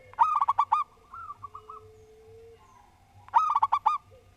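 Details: Local zebra dove in full song: two loud phrases of five rolling coos each, a few seconds apart, with a softer cooing phrase and a faint sustained tone between them.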